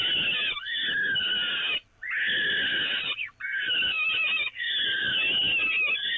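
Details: Peregrine falcons on the Evoluon nest grating at feeding time, 13 May 2018: very loud, harsh, wheezy screams in four long bouts separated by short pauses.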